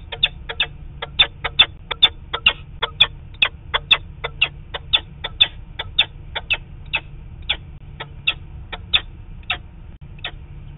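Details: Peregrine falcon calling from a distance, probably the male, while the adult pair flies, camera recording on 4 October 2017: a fast, harsh, repeated kak-kak series of sharp notes, about three per second, over a low steady hum.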